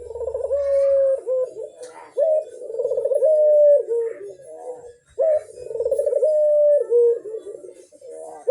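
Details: Barbary dove calling vigorously to stimulate other doves to join in: repeated rolling coos, each a fast pulsing purr running into a long steady tone that drops at the end, phrases about every three seconds.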